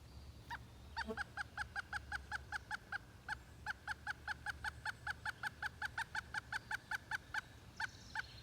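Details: Pileated woodpecker in Hebron, Connecticut, giving a long, steady series of loud, hollow, slightly nasal notes, about two to three per second, sustained for nearly eight seconds, with a low background hum.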